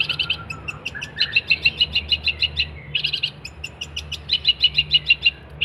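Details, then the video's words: Cendet, the long-tailed shrike, in a lively 'gacor' song meant as a model for training songbirds: quick bright repeated notes in rhythmic runs, broken by short pauses and softer lower twittering. "kicauan cendet gacor"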